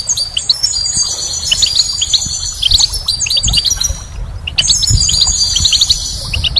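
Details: Goldfinch singing in spring, an energetic jumble of bright, fast twitters and thin trills, one brief break midway before the lively chatter returns.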